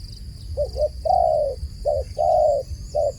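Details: Brief run of dove cooing: a quick doubled hoot, a long smooth coo, then the pattern starting again, set against low background rumble.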